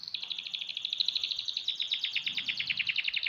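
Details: Canary aged six months singing a continuous fast, high rattling trill of tightly packed repeated notes, slightly descending toward the end.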